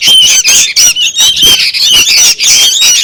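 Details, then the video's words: Young sooty-headed bulbuls calling noisily as a lure for wild birds: harsh squawks delivered in quick pulses, about one and a half per second, layered with thin whistled slurs. "suara pancingan / pikat anakan burung kutilang ribut"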